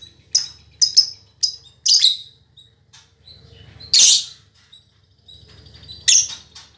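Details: Captive female lovebird, a fighter in full song: short, sharp chirps in a quick group of four, then two louder, raspy screeches spaced about two seconds apart over faint background noise.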